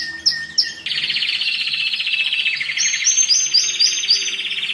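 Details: Excited canary singing, used to train young birds and ready females for mating: short chirps, then a dense warbling roll near mid-high pitch with a run of repeated high up-slurred notes above it.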